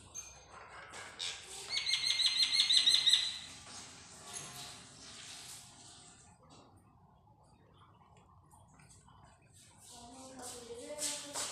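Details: Parrot calling after a shower: a burst of bright, rapidly repeated chirping notes in the first seconds, then softer scattered sounds and background noise.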